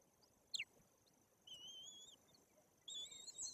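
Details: High whistled squeals from white-tailed eagle chicks, about three weeks old, being fed at their nest in Bory Tucholskie, Poland; a brief sharp note, then two thin drawn-out whistles over quiet hiss.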